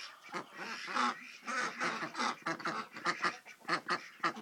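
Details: Group of Indian Runner ducks quacking at a ranch in Coalinga, California, November 2010: repeated raspy, nasal quacks, some drawn out and others clipped short, in a busy, irregular series of overlapping calls.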